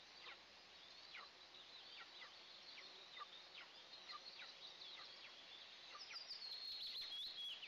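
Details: Nest camera at an Eastern imperial eagle nest, two eaglets at the first feeding of the day, June 29, 2024. Quick series of high squeaky chips, roughly three per second, ending in a longer thin whistled note.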